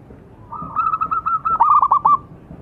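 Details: Zebra dove singing as a lure for other birds. A soft rising coo breaks into a run of pulsing notes, then ends in a quick stuttered trill.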